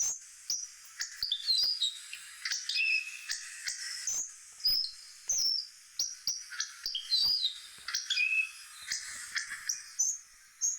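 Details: Hawfinch voice: bright, metallic chips and short rising and falling whistles, repeated irregularly, several notes per second, with faint clicks between phrases.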